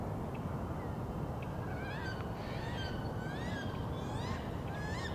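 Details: Canada geese in Angrignon Park, Montreal, on 18 April, spring, give a series of short, nasal honks bunched in quick bursts over a heavy low rumble of background noise.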